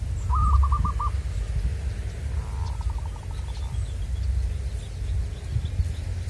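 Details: Local zebra dove (perkutut) of the wild-caught kind: a quick run of short, rolling cooing notes near the start, then a fainter, softer series a few seconds later, with low rumbling noise throughout.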